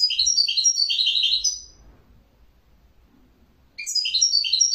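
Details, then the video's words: Bright, fast twittering from a small bird, a run of sweet chirps, a quiet gap, then the lively tinkling phrase starts again. "تغريد جميل لطائر جميل"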